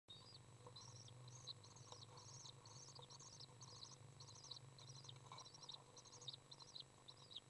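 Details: Common Swift young in a nest box being fed by a parent that has just entered, recorded June 18th 2011; a rapid series of high, thin buzzy chirps repeated in short bursts about twice a second, over a steady low hum.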